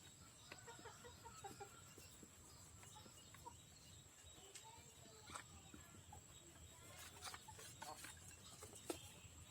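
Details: Hens in a free-range backyard flock cluck in short, clipped notes, several in quick succession early on and more later, over a constant high hiss and rustling; the birds are fed in the morning, 14 January.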